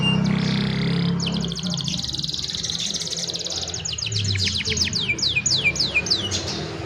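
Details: Cellphone recording of young canaries singing as tutors for other canaries: a sustained high buzzy trill, followed by a quick run of short notes that slows into spaced, falling whistled sweeps, with low background hum.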